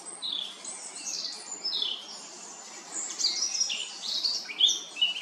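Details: Varied song from a Eurasian blackcap in Remscheid on 10 June 2022, a continuous soft, scratchy warble of high twitters and brief whistles, rising in loudness toward the end.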